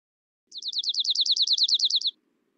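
Dark-eyed Junco singing a fast, monotone trill: about sixteen identical high, down-slurred notes, roughly ten per second, with a faint low hum beneath.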